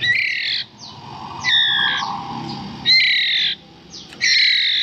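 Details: Hand-fed White-rumped Shama nestlings about 11 days old, raised in captivity, begging while fed: loud, harsh, buzzy squawks about half a second long, repeated roughly every one and a half seconds over low rumbling noise.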